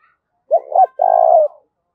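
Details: Spotted dove calling to provoke fighting in a deep voice: two brief coos then a sustained low coo dropping a little at its end, clean and close.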